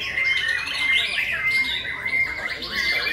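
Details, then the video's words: White-rumped shama at a May 2020 singing contest during the breeding season: bright whistled notes with a steady, sustained high tone running through, and quick warbled flourishes repeated over and over. "Chòe lửa đấu hót"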